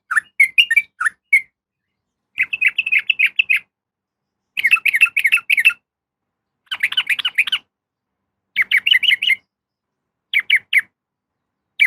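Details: Female yellow-vented bulbul calling a male, used as a lure. Bursts of bubbly, chattering notes come in clusters roughly every two seconds, with brief gaps of silence.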